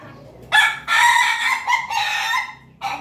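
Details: Crossbred rooster from Jogja, Indonesia, linked to Pelung, laughing chicken and Bangkok lines, crowing loudly in a broken, stuttering pattern of four or five harsh segments with brief gaps between them.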